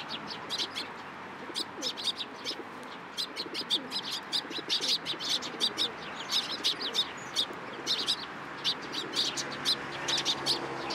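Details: Several sparrows at a Tenmangu shrine coming onto a person's hand for food, 14 April 2023; dense, rapid high chirps from many birds overlap almost continuously, with a faint low murmur behind.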